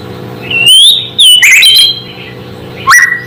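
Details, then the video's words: A white-rumped shama's song meant to stir other shamas into agitation: a long pure rising whistle, a short buzzy burst, another sustained whistle, then a quick upward-swept note, with a low hum underneath. "Suara asli murai membuat murai lain langsung emosi"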